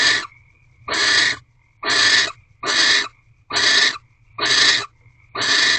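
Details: At night in an owl box on 3 March 2023, barn owls during a mating ritual give steady, harsh hissing screeches, seven bursts about one per second, each half a second long, with a faint thin whistle between them.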